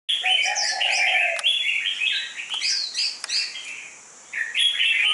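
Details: Red-whiskered bulbul, an untrained competition bird with a dark bib, slim medium build and fierce fighting temperament, sings bright warbled phrases that rise and fall, with a lower slurred note early and brief clicks between phrases.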